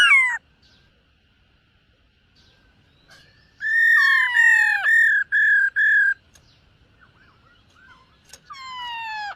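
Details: A silver-eared laughingthrush in morning voice training: a sharp falling whistle, a quiet stretch, then a row of steady whistles and a long falling note, ending with another descending whistle.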